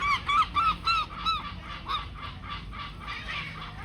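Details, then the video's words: Seagulls among swans at a swan sanctuary on the River Severn, noisy while trying to detect food: a fast series of harsh, nasal, arched calls, about three or four a second, loud at first then fading into a noisy background chorus. "Ear-splitting seagulls"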